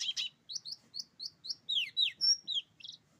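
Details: Rolling, shooting-style song from a buxtoni oriental white-eye: crisp high chirps repeated about four per second, shifting into longer slurred whistles and a final buzzy note.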